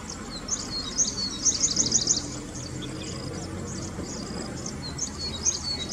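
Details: Grey-breasted Prinia calling in roadside scrub: a fast series of high, thin, sharp notes in a short burst near the start, with fainter similar notes later and a low background hum.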